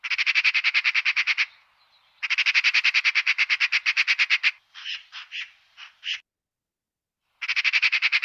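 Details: Eurasian magpie giving a harsh, rattling chatter in rapid bursts of about a dozen notes, with a few separate raspy squawks between bursts; presented as a spring sound heard in nature in May.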